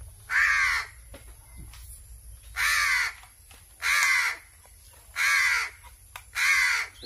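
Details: Hungry crow being hand-fed, calling loudly: five harsh, drawn-out caws spaced a little over a second apart, with quiet gaps between them and a faint low hum.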